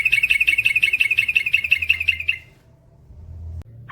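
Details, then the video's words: Rapid ropel phrase from a male trucukan, the Yellow-vented Bulbul: a fast, even trill of about twenty high, sharp notes lasting over two seconds, then quiet with one faint note at the end. "SUARA trucukan gacor ropel panjang"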